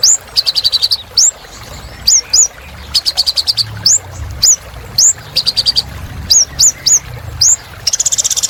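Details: Energetic purple-throated sunbird song. Quick rising whistled notes mix with short rattling trill bursts, delivered in a steady, busy stream.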